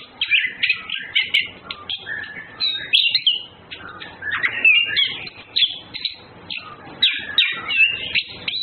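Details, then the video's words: Orange-headed thrush, males and females flirting: long, busy warbling of tangled scratchy whistles and chirps, with phrases packed closely together and brief pauses between. "Birds Anis Kembang flirting Males Females birds"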